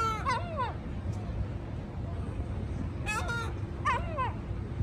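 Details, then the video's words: Seagulls calling at Bristol Harbour, England: several loud, harsh, nasal cries with strong harmonics, first a pair of downslurred squawks, then more bursts near three and four seconds, over a steady low rumble of harbour and traffic noise. "Seagulls talking at Bristol Harbour"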